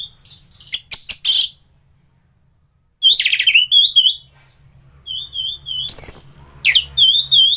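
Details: Master 'gacoran' song of an orange-headed thrush for training other thrushes: sharp high trills and clicks, a short silence, then a loud varied stream of warbled whistles, wavering high notes and quick rattles, with low hum at times.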